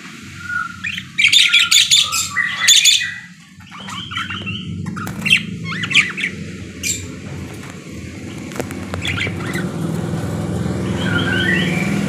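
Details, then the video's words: Parakeet kept in a cage, uttering bursts of rapid chirps and harsh squawks early on, then quieter scattered notes over a steady low rumble. "BURUNG PARKIT GACOR CANTIK"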